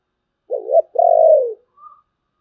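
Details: Spotted dove cooing in the Vietnamese "thổ bầu" voice style: a short low note, then a longer, smooth, slightly falling coo, followed by a faint higher note, in otherwise quiet surroundings.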